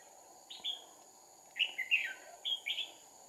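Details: Fighting song of a decoy red-whiskered bulbul at a trapping site, two decoys, 2 April 2019: a short whistle, then a run of rapid slurred warbled notes and a final paired phrase, insects humming steadily behind.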